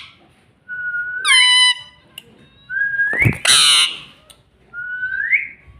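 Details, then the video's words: Pet rose-ringed parakeet, a talking parrot taught to say "mummy", gives three rising whistled phrases, the first with a rich harmonic squawk on top, plus a short noisy burst in the middle. "Mummy Bolne Wala Tota || Batuni Tota Mitthu || Talking Parrot"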